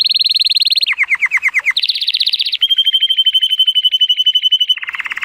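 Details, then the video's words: Timbrado Español canary male, born 2018 and scored 83 points, in sunny weather. His song moves through rapid rolling trills, a lower run of dropping notes, another quick trill, and a long even piping tone with fast pulses. "The most PLEASANT Canary training song"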